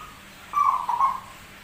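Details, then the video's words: Zebra dove, called rare, with an unusual but prolific voice: a single short rolling coo phrase of about three-quarters of a second, with a slightly broken middle, over quiet background hiss. "PERKUTUT SUARA ANEH TAPI GACOR"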